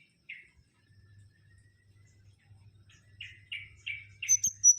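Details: Mangrove whistler, known locally as kancilan bakau, giving spaced short buzzy notes that speed into a quick series of four, then breaking into high whistles at the end; soft low hum beneath.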